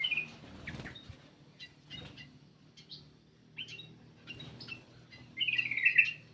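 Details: Black-crested bulbul lure call: scattered short chirps, then a loud, rich warbled phrase near the end, over a low background hum.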